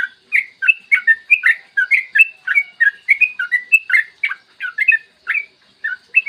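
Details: A yellow-vented bulbul's rolling 'gacor' song, played to coax other bulbuls into singing: dense, liquid, chuckling notes strung rapidly together with short breaks between them.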